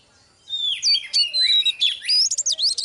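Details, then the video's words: Caged Oriental magpie-robin, a female used to train a male to sing, giving a rich varied phrase of clear whistled slurs and rising and falling notes with sharp high accents. "chòe than mái KÉO TRỐNG LÊN ĐIỆN"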